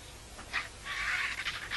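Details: Griffon vultures gathering noisily around an animal carcass at a feeding site in La Terreta, Tremp, squabbling for a good position; harsh, breathy hisses and rasping bursts, with one longer rough snarl in the middle.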